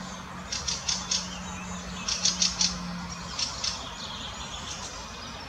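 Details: An adult Fieldfare with a juvenile in the Botanical Garden, Munich, calling in scattered groups of grating, clipped notes, three or four at a time, with a low steady drone briefly underneath.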